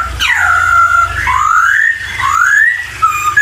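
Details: A poksay laughingthrush sings loud, clear whistles. A falling note is followed by long rising and sliding whistles, with a constant low humming in the background.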